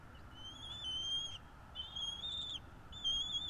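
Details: High piping whistles from a bald eagle at its North East Florida nest, recorded by the nest cam 12.02.2022, 16:09: three drawn-out, slightly wavering squeaky notes, each about half a second, over a faint steady hum.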